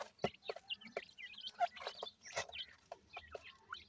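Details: Grey francolin chicks, just hatched, known as dakhni teetar: a scatter of short high cheeps and upward-flicking notes, interrupted by loud clicks and scraping sounds.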